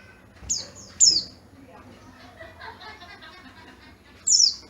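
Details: Oriental white-eye, a yellow-breasted bird from Garut in Java, kept for its clear, loud voice; three very high, sharp downward-slurred notes, two close together then one after a pause, with soft murmuring in between.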